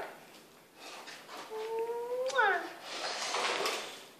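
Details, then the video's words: Indoors, a pet female Indian ringneck parakeet talks with a person, uttering one level drawn-out voiced phrase that ends in a sharp downward slide, with faint room noise around it. "A Conversation with an Indian Ringneck"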